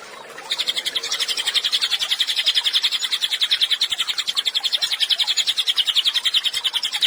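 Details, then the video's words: A Cililin sings actively, recorded as a training track for songbirds. After a faint start comes a sustained, rapid string of high chirps, steady in pace at about three or four notes per second. "CILILIN GACOR, MASTERAN HANDAL UNTUK BURUNG KICAU"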